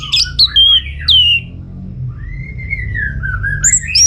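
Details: Orange-headed thrush from northern Bali, Singaraja, used as a lure song; sweet slurred whistles followed by a long wavering whistled phrase rising at the end, over a low hum.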